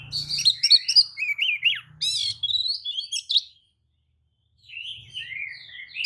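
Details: Kacer, the white-rumped shama, singing a lure song with tail spread to trigger other shamas; fast sequence of whistled and churring notes for about three seconds, a silent gap, then softer whistles.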